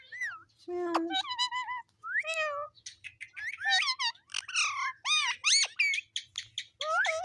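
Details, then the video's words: Pet talking parrot, described as repeating its name in a sweet voice, gives a rapid, busy run of varied whistled and nasal syllables, many sliding up or down, with short gaps between bursts. "Mitthu Mitthu Talking Parrot | Cute Parrot Voice Video"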